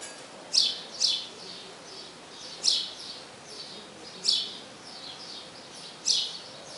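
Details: Male-style calling by a house sparrow summoning the female to the nest: sharp high chirps repeated irregularly, some in quick pairs, about every second or two over faint background hiss.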